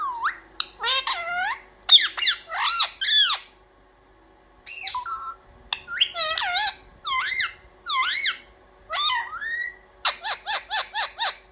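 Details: Pet parrot, kept indoors, taught to say "mummy papa": harmonic, squawky syllables with rising and falling inflections, a pause near the middle, then a fast run of six short clipped notes at the end.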